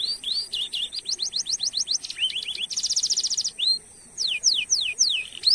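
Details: Canary singing actively as a lure for other canaries, with long rolls and 'cuit cuit' notes: quick rising whistled notes in runs, a dense buzzy trill near the middle, then sharply falling slurred notes.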